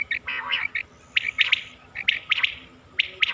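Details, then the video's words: Quail calling on a Mianwali batair-hunting recording: a rough grating burst first, then sharp high chirps in pairs spaced about half a second apart. "batair ki awaz 2023"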